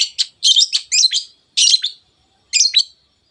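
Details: Long-tailed shrike singing 'teot teot' to excite other birds into singing: clusters of rapid scratchy chattering notes, followed by two shorter harsh bursts separated by quiet gaps.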